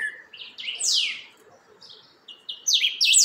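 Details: Creamy-bellied thrush steadying its song: a run of clear, high, steeply down-slurred whistled notes. A quiet pause follows, then a faster burst of sharp descending notes builds toward the end.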